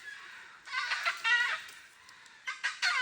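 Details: Red-throated caracara, a falcon-family bird from the Brazilian Amazon, giving loud harsh harmonic calls in short bursts, a long phrase then brief clipped notes near the end, in a quiet setting.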